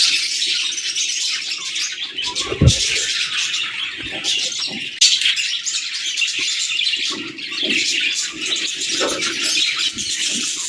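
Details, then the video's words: Budgerigar pairs chattering to each other: a dense, continuous warbling of high twitters and squeaky notes, with a single dull thump near the three-second mark. "Sweet Budgie Conversations"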